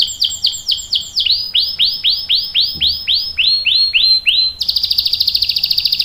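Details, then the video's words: Canary in long 'ngerol' rolling song, played to draw other canaries into singing and to tutor young birds: about sixteen arched sweeping whistles gradually slowing, then a high bright buzzy trill. "KENARI GACOR NGEROL panjang bagus untuk PANCINGAN dan MASTERAN paud | CANARY SINGING"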